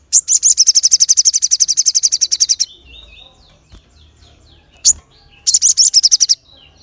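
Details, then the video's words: Crested jay delivering a long, high, rapid rattle of about thirty sharp notes, pausing amid soft warbled whistles and one chip, then rattling again; the sharp call is meant to provoke other birds. "SOGON Gacor Full Nembak Suara Tajam l Bikin Yang Lain Terpancing"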